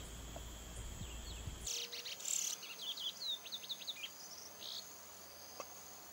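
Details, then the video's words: A chestnut-bellied seed finch (true curió) gives a quick run of clear, slurred whistled notes, rising and falling, over a steady high insect hum and some low rumble. "CURIÓ VERDADEIRO VOCALIZANDO"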